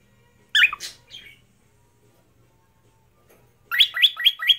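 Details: A male cockatiel whistles to himself at his reflection on the back of a laptop, giving bright, harmonic whistled phrases with a short rapid run of repeated notes.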